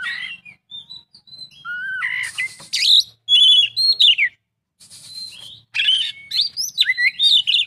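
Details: Full isian song of the Oriental magpie-robin (kacer): soft high whistles opening into louder buzzy bursts, wavering slurred notes and rapid chattering phrases, with a short silence midway.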